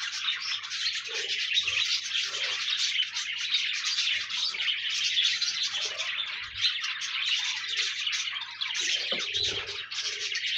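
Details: A lively group of pet parakeets chattering without pause, layered chirps, trills and scratchy notes, with a few soft lower tones and small knocks, aimed at keeping a lonely budgie company.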